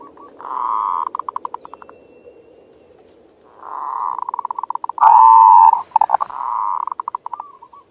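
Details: Zebra dove (perkutut) bait song to stimulate other doves: sustained rolling trills that break into rapid pulsed notes, a loud wavering coo in the middle, and a steady high electronic hum.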